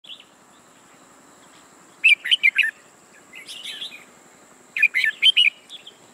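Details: Red-whiskered bulbul decoy bird used for trapping, singing in short bursts of bright, chattering notes around two seconds apart, each burst a quick run of sharp rising and falling phrases, with a steady faint high hum behind.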